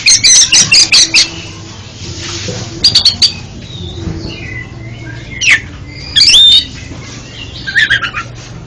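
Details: Oriental magpie-robin song used as therapy for a stuttering magpie-robin: a quick series of six rasping notes, then soft scattered whistles, with short harsh clusters repeated several times.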